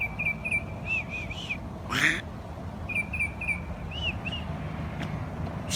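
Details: Noisy birds chirping in the morning: quick series of short arched chirps in groups of three to five, pausing between groups, over steady low rumble and a brief loud burst of noise.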